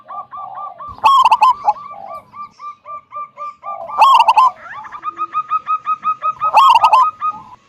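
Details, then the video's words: Zebra dove of a local strain, singing the big-voiced 'kung' song that lures other doves to sing. Three strong rolling coo phrases spaced a few seconds apart, linked by steady strings of light repeated notes. "Perkutut lokal gacor suara besar - SUARA KUNG"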